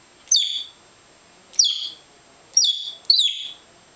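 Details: A male African grey parrot that imitates noises, water sounds, curses and talk. It repeats a sharp, high whistle that slides downward, four times at irregular intervals of about one second.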